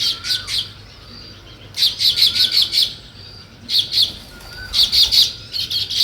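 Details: Weaver birds building a nest chirp in high, bright bursts of four to six quick notes about every two seconds, with faint thin whistles between bursts.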